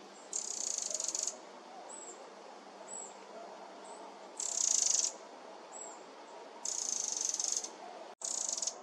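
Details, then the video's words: Several loud, fearless Eurasian wren (Troglodytes troglodytes) chicks in summer, giving high, hissing, buzzy bursts about a second long every two to three seconds, with thin short peeps between over a low rumble. "The Eurasian wren chicks"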